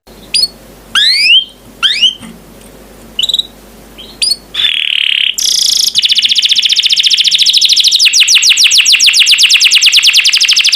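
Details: Champion canary song used as a master recording for training other birds: separate rising whistled notes, then a loud steady buzzy note, followed by a long rapid trill of falling sweeps, about four per second, with faint low hum behind.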